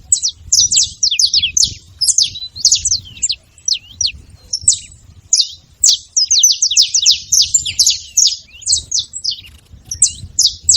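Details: Saffron finch (canário-da-terra) calling noisily: dense streams of high, sharp downward-sweeping chirps, clustered in fast runs with short gaps, over a quiet low background hum.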